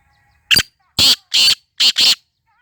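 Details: Close, loud black francolin (Sindhi teetar) call: five harsh, broadband rasping notes in a clipped rhythm, short, long, long, then a tight pair, over an otherwise quiet background.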